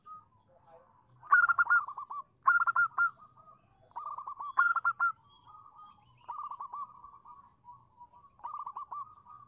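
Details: Zebra dove female calling to a male, played as a lure to prompt a reply: several loud clipped cooing bursts early on, then a longer sequence of softer, fast, trilling coos that runs to the end.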